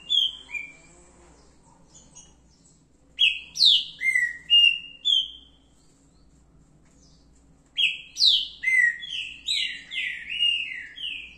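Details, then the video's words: Song of a green-winged saltator, locally trinca-ferro verdadeiro: two bursts of loud, slurred whistles, each note dropping in pitch, the first burst short and the second longer and denser, separated by a few seconds of quiet. "Se liga nesse canto!"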